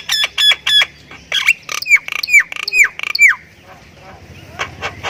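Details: Thailand-type Javan myna in lively 'gacor full isian' song: three quick buzzy notes, then a string of harsh downslurred squawks at a steady pace, fading into scattered faint notes near the end.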